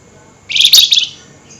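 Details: One intense, harsh, buzzy trill of about half a second from a highly excited flameback calling at night, the rattle-like style called nyerecet.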